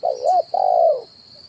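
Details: Spotted dove lure call, kuk 1 type, for trapping wild birds: quick wavering double coo leading into a sustained, slightly falling hooted note, with constant high whine behind.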